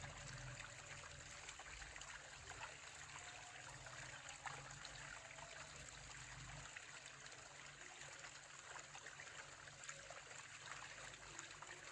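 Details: Steady trickling water with a low background hum, and no clear animal calls.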